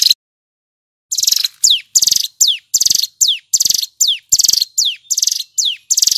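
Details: Male Hill prinia singing loudly and clearly in the continuous 'nembak ngebren' style. After a second of silence, loud pulsed buzzy trills alternate with sharp downward-slurred whistles, about twelve phrases in quick succession.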